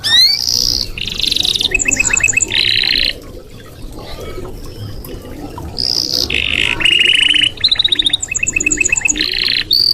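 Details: Red canary song for training other birds: alternating fast rattling trills and buzzy bursts, some high thin repeated notes, phrases separated by a quieter gap around four seconds, faint background hiss.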